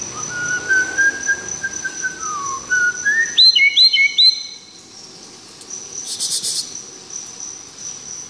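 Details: Live-recorded white-rumped shama with a sweet, varied voice: a long level whistle dipping lower, then quick rising slurred notes in a rapid series, over a constant high-pitched insect buzz.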